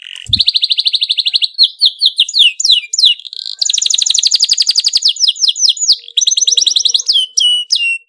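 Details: Canary delivering an excited, tight rolling song intended to make other canaries join in: long rapid trills of high repeated notes alternating with swooping whistled phrases, continuous throughout with a soft low thump at the start.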